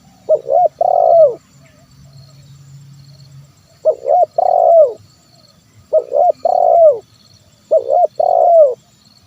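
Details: Zebra dove, locally terkukur, calling to lure wild birds and prompt quiet birds to sing: soft cooing phrases of a short note then a longer rolling coo with a falling end, repeated about every two seconds over low hum.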